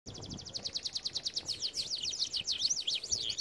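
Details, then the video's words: Canary song used for training canaries: rapid trills of short notes repeated about three times a second, shifting into looping rising and falling whistled phrases, high-pitched and continuous. "Most powerful song for training Canary"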